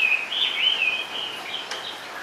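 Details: Chinese hwamei in a cage singing from its perch; fluid whistled phrases, wavering up and down, partly veiled by steady background hiss and a brief click.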